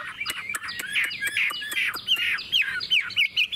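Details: Chinese hwamei, a kept bird singing in the 'ngũ trường' style with a forest-type voice: harsher, squawky slurred notes mixed with sharp clicking ticks, repeated rapidly in a busy, uneven rhythm.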